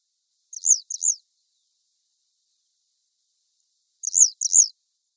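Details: Grey wagtail on the Lieser river in 2017 gives two quick pairs of sharp, very high "tzit-tzit" calls about three seconds apart, with silence between them.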